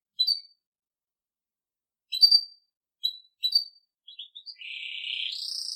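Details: Belgian canary song used for training young birds: a few short bright chirps spaced by pauses, then a sustained buzzy trill starting near the end.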